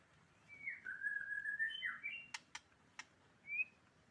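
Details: White-rumped shama, Medan type, giving a long wavering whistled phrase that dips and rises, followed by three sharp clicks and a short rising whistle at the end; fairly quiet against steady background hiss.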